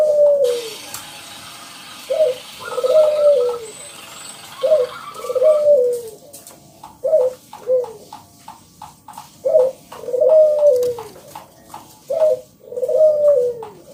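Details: Loud, vigorously singing local zebra dove (perkutut lokal) used as a lure to prompt other doves to sing: low cooing phrases mixing short clipped coos with longer arched, rolling coos, about a dozen notes in fourteen seconds, faint hiss at start.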